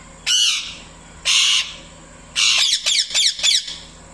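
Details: Pet parrot calling loudly to a male parrot: harsh, broad squawks, three long ones then a quick run of four shorter rasping notes, all loud and close in a quiet room.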